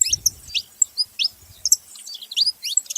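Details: Saffron finch calling with quick, high, up-slurred chirps spaced a few tenths of a second apart, some in clipped doublets, with faint low noise early on.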